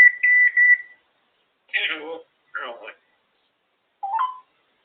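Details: Female African grey parrot on top of her cage, kept as a pet, giving a run of steady flat whistles followed by several short speech-like mumbled syllables indoors.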